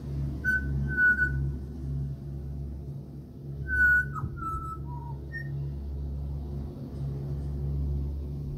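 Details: Australian pied butcherbird visiting a house in Australia. Sparse pure fluted whistles, some held and some dropping or rising in pitch, are spaced a second or more apart over a constant low rumbling hum.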